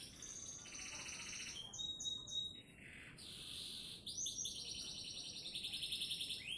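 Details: Canary from Sidoarjo, Indonesia delivering varied song: rapid high trills, brief pure whistles, buzzy rolls and fast repeated notes strung together without pause.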